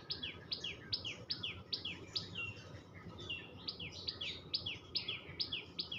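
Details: Common tailorbird, locally called tuntuni, giving rapid chattering chirps: sharp, high descending notes repeated about twice a second in steady bursts, with a low rumbling background noise underneath.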